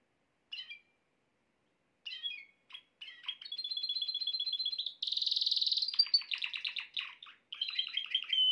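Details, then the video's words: Canary singing a song said to bring the female into mating posture fast; a few short chirps, then a sustained whistled tone, a buzzy rapid roll, sharp clipped trills and a final warbling phrase, clean with no other sounds. "تغريد كناري يجعل أنثى الكناري تاخد وضعية التلقيح بسرعة"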